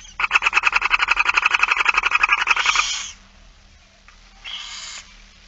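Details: During a barn owl feeding on 8 September 2019, 16:02, a rapid chattering train of clicky pulses, about four per second, runs for three seconds, followed by a softer breathy hiss.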